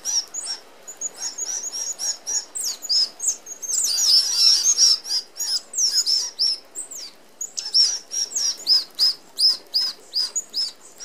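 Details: Flock of Australian red-browed finches feeding at an open aviary feeder; rapid stream of high squeaky piping notes, many per second from several birds, with a loud burst of wing whir in the middle.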